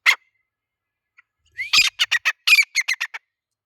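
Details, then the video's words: Male grey francolin calling: a short sharp note, then a loud burst of harsh, squawky notes given in quick rhythmic succession, about a dozen in under two seconds, ending abruptly. "Teetar ki awaaz/ Teetar ki boli/ Teetar voice/ Teetar sound"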